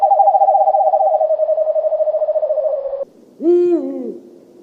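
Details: Owl call opening with a quick, continuous trill that sags slightly in pitch for three seconds. It stops suddenly, and after a short gap one full, resonant hoot bends downward.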